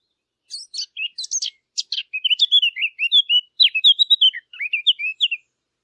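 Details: Song of the Eurasian blackcap for hunting callers: dry scratchy notes at the start turn into a loud run of clear, fluting whistles that slide up and down, ending abruptly after about five seconds.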